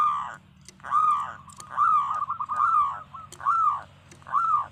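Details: Zebra dove, local type (perkutut lokal), singing loud drawn-out rolling coos, each swelling and fading, about one every second, with fainter quick notes between and a few sharp clicks.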